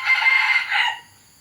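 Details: A free-ranging F1 red junglefowl × chicken hybrid rooster near Tha Som, Udon Thani, Thailand, gives a short, harsh crow of about one second, bright and strained, ending abruptly; the clip is otherwise quiet.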